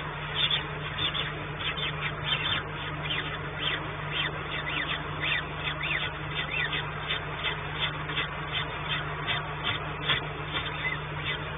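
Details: Peregrine falcons at their nest in Płock, Poland, on 28 April 2019, as the female tried to feed but found only dry leftovers; harsh rapid repeated calls in a steady series over a constant low hum.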